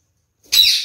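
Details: A male kakariki, one of a pair, drinking a lot of water, gives one brief, harsh, high squawk that dips slightly in pitch, after a moment of silence in a quiet room.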